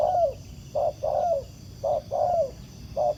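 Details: Wild spotted dove cooing in answer to a ground decoy during trapping: low hollow coos around 600 to 700 pitch, short notes alternating with longer descending ones, repeated about once a second over a low rumbling background.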